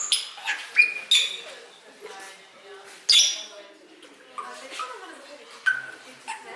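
A Bali myna sings a jumble of harsh, scratchy bursts and short clear whistles, with loud notes every second or so between quieter chattering.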